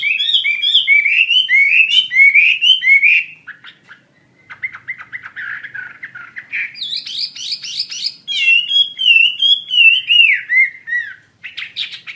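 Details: Chinese hwamei in full song: rapid looping whistled notes, a pause, a lower scratchy warble, then high buzzy trills and swooping whistles that fall in pitch.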